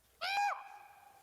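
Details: A Common Raven, a backyard bird known for loud, weird, varied calls, gives one loud, hollow, ringing call lasting about a third of a second, with a steady tone that lingers and fades.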